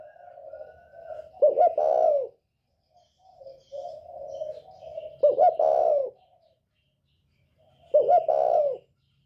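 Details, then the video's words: Spotted dove of northern Vietnam, a 'còi bổi' voice used to provoke other birds: three low cooing phrases, each a soft rolling lead-in then a louder, emphatic double coo, repeated about every three seconds in a quiet setting. "Chim cu gáy giọng còi bổi ghét kích chim rất hiệu quả, cu gáy miền bắc"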